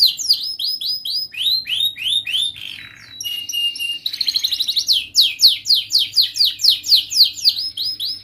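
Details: Energetic young canary learning song structure, used as a master recording for juvenile canaries: rapid repeated slurred whistles, a brief buzzy interlude, then fast regular descending notes about four per second.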